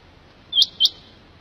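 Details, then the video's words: A single pair of clear, high, rising chirps from a quail called pekawri batair, the two notes a quarter second apart, with a quiet background. "PEKAWRI BATAIR 2 10 MINUTES QUAIL SOUND"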